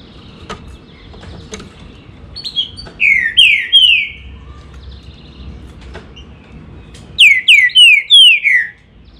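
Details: Green-winged saltator singing two loud phrases of slurred, descending whistles, each phrase of four or five quick notes, separated by a pause of about three seconds; faint clicks and a low background hum.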